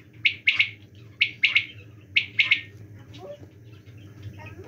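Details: Quail calling in the winter season: three sharp, clipped three-note phrases, each a quick rhythmic burst, repeated roughly once a second, then fading into a low steady hum with faint scattered chirps.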